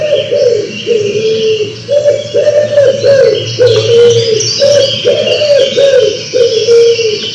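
Wood pigeon giving a steady run of low, soft, husky coos, roughly one every second, with faint higher chirping from other small birds behind.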